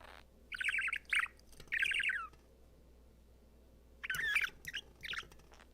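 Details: A happy male pet budgerigar sings to his favourite ball in front of a mirror, giving bursts of scratchy, chattering warbles with short pauses between them.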